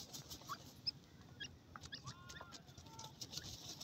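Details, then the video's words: Francolin young at play: thin whistled notes, a few drawn out and level, others short and upslurred, spaced irregularly over faint scratching sounds and a constant noisy hiss. "motay teetar ki awaz,Fat children of feeble pheasants are playing"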